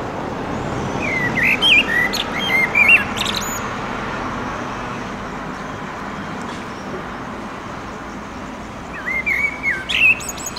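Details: Male common blackbird (Turdus merula) singing at sunset near a pedestrian bridge over a railway in urban Oradea, establishing a territory; two warbled, fluted phrases ending in high squeaky twitters, about six seconds apart, over a steady background rumble.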